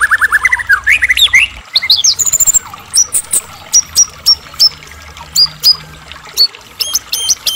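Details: White-rumped shama from Medan singing a rich, varied song used to provoke other shamas into answering: rising whistled phrases early, then repeated sharp high notes with downward flicks, short pauses between them.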